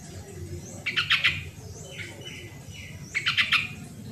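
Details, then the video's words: Sooty-headed bulbul, original sound used to prompt quiet birds to sing: a pair of short, fast runs of four to five sharp chirps, a few soft notes between them, over a low murmuring background. "suara original burung trucuk pancingan trucukan yang malas bunyi"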